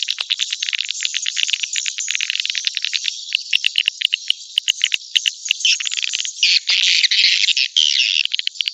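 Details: Chirping swiftlet lure used to bring swiftlets to a nest house: quick high twitters packed closely, becoming louder and denser with rasping bursts in the second half.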